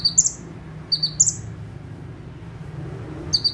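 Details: Bar-winged prinia perched and singing: two short bursts of high chirps with buzzy notes at the start, then near-silence with low hum, and one more burst at the end.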